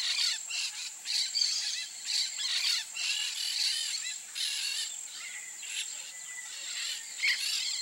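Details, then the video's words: Wild peach-fronted parakeets (Eupsittula aurea) give harsh, screechy chattering calls in irregular bursts, about one a second, with a steady high insect hum underneath. "PEACH-FRONTED PARAKEET (EUPSITTULA AUREA), PERIQUITO REI, Jandaia-estrela, Aratinga-estrela."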